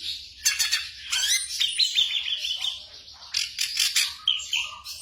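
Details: Black drongo song played as night-time training audio for caged songbirds: a dense run of high, varied chirps and buzzy notes, with bursts of rapid clicking trills and a few lower whistled phrases near the end.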